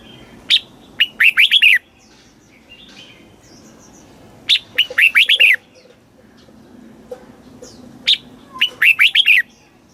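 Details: Red-whiskered bulbul southern master song from Thailand, meant for teaching young birds and exciting caged ones: three phrases of a sharp chip plus quick rising-falling whistled notes, with quiet gaps and faint background chirps.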